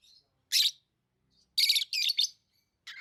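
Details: Tame lovebirds giving loud, shrill, raspy chirps, one single note then a quick rattling cluster of three, followed by a lower squeaky note at the end.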